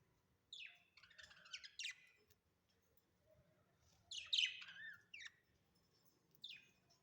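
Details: Budgerigars at home; scattered harsh chirps and squeaky downslurred notes in small clusters over faint background hum.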